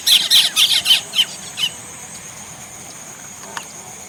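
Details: Indian common myna calling: a burst of about eight loud, harsh, squealing notes in quick succession over the first second and a half, then quieter background with a steady insect hum.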